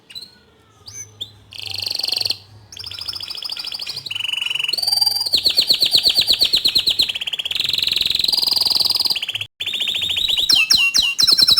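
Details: Actively singing bottle-green canary as training song for young canaries: after a few scattered notes, a stream of buzzy rolls and rapid trills builds, with a short gap before closing swept chirps.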